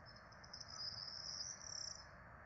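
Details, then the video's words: Four Peregrine falcon chicks being fed at a nest camera in Rome on 12 April 2024; a thin, high continuous whine swells and then breaks into quick pulsed notes, over steady low background hum. "Peregrine Falcons -Alex & Amelia- Karmienie czworaczków"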